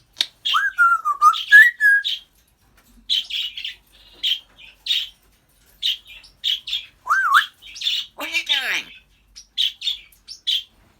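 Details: African grey parrot kept as a pet, talking and mimicking: quick clicks and pops in rapid, uneven runs, two wavering whistles near the start, a rising whistle later, and one falling, raspy, laugh-like burst.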